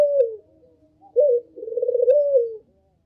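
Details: Barbary dove giving a lure call: the tail of one coo, then a crisp short note and a single long, burry, rolling coo that drops in pitch at the end.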